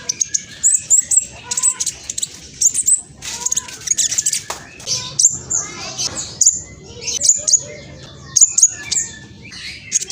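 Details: Black sunbird juvenile from East Java, Indonesia, singing a quick, shrill lure song to make other sunbirds reply: irregular high chips and short ticking runs spread across the stretch, with low background murmur.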